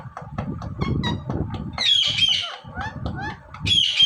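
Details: Indian ringneck parrot, a pet shown talking and dancing: harsh, buzzy squawks rising and falling between bursts, with low, murmuring human voices and household noise underneath throughout.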